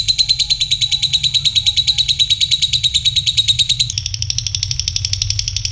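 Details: A lovebird gives a long "ngekek" chattering trill of rapid buzzy pulses while bathing at night, running without a break and shifting slightly in pitch near the end, over a low background rumble.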